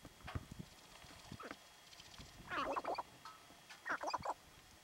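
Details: Sharp-tailed grouse, believed territorial, in Theodore Roosevelt National Park North Unit, 6 October 2017, give harsh chattering cackles in two half-second bursts after a few low dull thumps.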